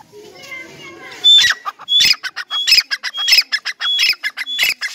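A grey francolin gives loud, shrill, grating notes with whistled edges, repeated about twice a second after a faint opening second.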